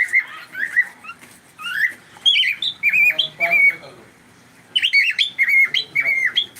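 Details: Pet cockatiel calling indoors during a live stream: a run of short chirps and whistled notes, some rising, some wavering, in bursts separated by brief pauses.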